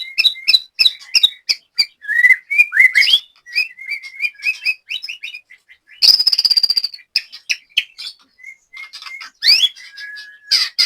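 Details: Caged white-rumped shama from Banyumas, Central Java, singing at a latber practice session: a rich, varied run of clear whistles and sharp chirps with fast rising and falling notes. A short, buzzy, high trill sits in the middle.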